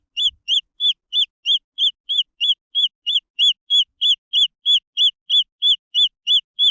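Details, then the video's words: Green junglefowl chicks give a steady run of about twenty high, arched peeps, each a short rising-then-falling note, evenly spaced roughly three per second, in an otherwise silent background. "The Sound of jungle fowl chicks"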